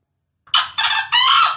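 A male green junglefowl gives a short, hoarse three-part crow lasting about a second. It is rasping and cut off abruptly, with nothing else heard.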